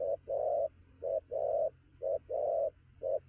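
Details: Spotted dove cooing rapidly at noon in Kon Tum, a regular short-long coo pair repeated about once a second, with a steady low hum in the background.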